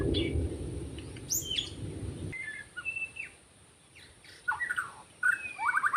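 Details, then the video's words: Wild white-rumped shama singing in forest, recorded during bird trapping: scattered clear whistled notes and short slurred phrases, some rising and some falling, with a low rumbling background noise that stops after about two seconds. "Rekaman suara asli murai batu hutan ketika sedang mikat"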